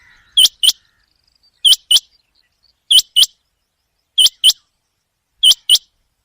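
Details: Common quail calling at night, recorded as a hunting call: sharp, high two-note calls, the second note close behind the first, repeated about every 1.2 seconds in a steady rhythm against a silent background.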